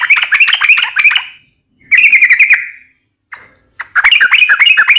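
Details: Energetic trucukan, the sooty-headed bulbul, delivering nembak ropel ngeplong song: three runs of quick, slurred chattering notes with brief gaps and a short isolated note between them.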